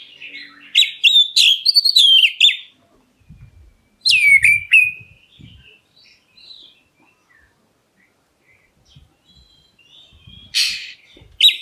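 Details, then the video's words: Black-breasted white-rumped shama calling to provoke other birds into answering: loud whistled phrases with sharp rising and falling notes and rapid trills around two to four seconds, then fainter distant notes and a final burst near the end. "KACER DADA HITAM MEMANGGIL, BURUNGMU LANGSUNG NYAUT!"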